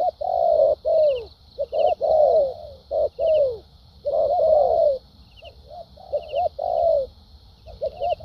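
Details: Structured cooing of a spotted dove, a fresh wild-caught bird noted for its good contest temperament. Paired short notes lead into long falling coos, with irregular pauses and a constant faint high-pitched hiss in the background.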